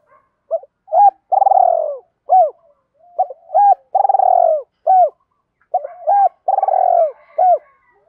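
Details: Spotted dove in the 'giọng đồng pha' voice style, cooing to lure wild doves in; low hooting phrases of short notes with a long rolling coo, each phrase repeated about every two and a half seconds, clean with no other sounds.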